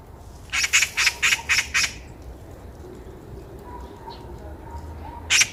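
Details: A Eurasian magpie on a walking path in Korea gives a quick run of six harsh, grating squawks, then a quieter stretch with a faint thin tone before one more squawk at the end.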